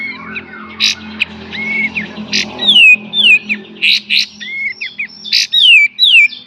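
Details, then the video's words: Kapas tembak song in beset and tembak style for training cage birds: loud harsh bursts alternate with clear falling whistles, irregularly spaced, over faint low background hum. "KAPAS TEMBAK FULL BESET DAN TEMBAK"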